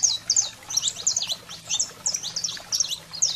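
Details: Saffron finch chirping in quick high bursts with slurred, falling notes at irregular short intervals, sound intended to stimulate pet canaries; a faint low hum runs beneath.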